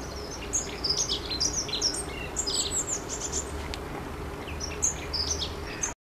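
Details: Long-tailed tit calling with quick, very high, thin chirps in loose groups, pauses between, against a steady low hum.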